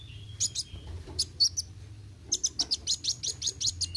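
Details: Brown-throated Sunbird (kolibri wuling) singing in the busy 'roll tembak' style: sharp, very high chirps, with one thin drawn note early, then a run of rapid staccato notes over a steady low hum.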